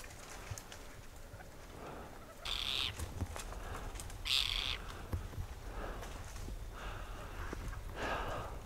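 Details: In winter in Ladakh, a Tibetan partridge gives two strong rasping, scratchy bursts nearly two seconds apart, followed by a fainter one, against a low windy rumble.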